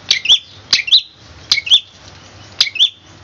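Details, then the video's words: Long-tailed shrike master recording for teaching birds, tembakan kristal style: a sharp high note dropping into a short whistled slur, repeated about once a second over a faint low hum. "Masteran cendet suara tembakan kristal"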